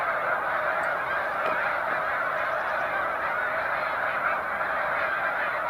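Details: Large resting flocks of Snow Geese on Cayuga Lake, New York, 20 March 2021, during spring migration, produce a constant blended clamour of honks, slightly quieter but unbroken throughout.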